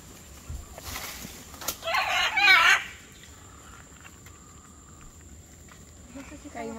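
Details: A great green macaw at a macaw sanctuary in Manzanillo, near Puerto Viejo de Talamanca, Costa Rica, gives a loud, harsh, grating squawk lasting about a second, over a steady high insect whine and faint voices.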